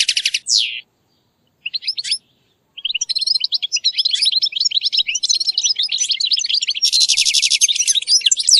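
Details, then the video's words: Chirping European goldfinch, offered as a model for a captive bird: short sharp opening notes, a silence, then a long continuous run of quick jingling twitters ending in a buzzy rattle. "chirridos importantes para ayudar al jilguero a pronunciar y producir sonidos"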